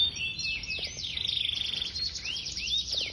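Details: Singing Yorkshire canary delivering quick descending whistles, a fast pulsed trill in the middle, then looping rising-falling slurs, high and continuous.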